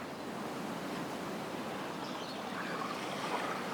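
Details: Steady rushing of surf and wind fills the recording, with no animal voices standing out.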